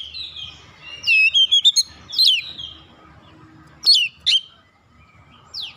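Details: Oriental magpie-robin song played as a lure for other birds: a fast group of sharp chirps and whistles, then spaced single loud notes with pauses between.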